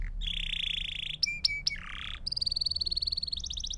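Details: Belgian canary song played to train young birds: a steady buzzy trill, sharp clicks and a flat whistle, a rough burst, then fast high rhythmic trills.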